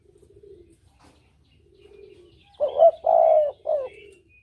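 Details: Spotted dove used as a hunting lure, a clear 'kuk dobel' style call: soft low cooing at first, then one loud three-part coo phrase, short, long and short, with faint thin whistles from other birds.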